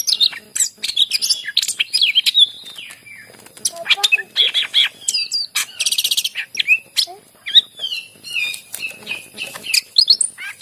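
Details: Greater green leafbird in full varied song to trigger silent leafbirds into singing: a continuous stream of chirps, whistles, descending slurs and a rapid buzzy trill, with barely any pauses.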